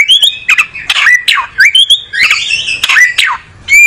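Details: Oriental magpie-robin, songbird from a South Asian breeder, settling in; loud scratchy squawks alternating with whistled sliding phrases, energetic and continuous, ending with a bright whistle after a brief gap.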